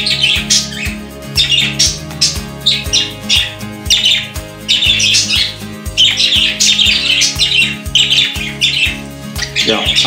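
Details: Pet budgerigars, let out of their cage in the morning, chatter in quick, scratchy, high chirps and squawks, bursting every second or so over steady background music with a rhythmic bass.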